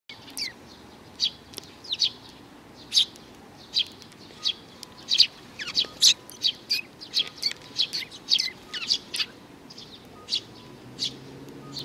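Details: Young sparrow giving a lively series of short, high chirps and tweets, some sharply down-slurred, repeated irregularly every half second or so over steady faint background hiss.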